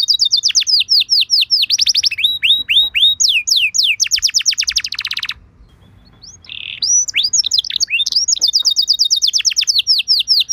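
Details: Canary lure song meant to prompt other canaries to answer: fast runs of bright downslurred whistles, then rapid high trills, a brief pause, a short buzzy note, and more quick repeated sweeping notes to the end.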